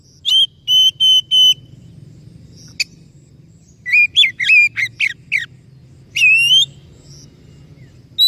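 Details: Oriental magpie-robin singing loud whistled phrases: three even, flat whistles, then a quick burst of varied rising and falling notes, ending on a drawn-out upslurred whistle. Steady low hum beneath.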